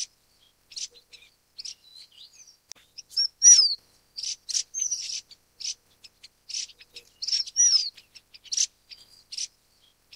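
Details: Golden parrotbill (Suthora verreauxi) giving very high, thin chips and short twittering bursts, with a few sharp down-slurred notes, irregular through the clip; no other sounds stand out.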